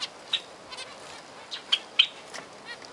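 Zebra finches give short, nasal, trumpet-like beeps, about seven in three seconds at an uneven pace, over a faint background hiss.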